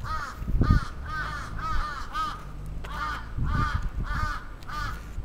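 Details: Crow attack in Sapporo's Atsubetsu Ward, Japan, 27 June 2017. Hoarse caws repeat almost continuously, about nine, in an uneven rapid series with a short pause midway, over low background rumble.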